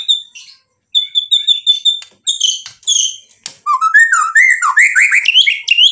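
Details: Vigorously singing white-rumped shama showing off its mimicked repertoire to stir other birds to reply: steady pure high whistles first, then dense mixed phrases ending in a fast rising and falling warbled run.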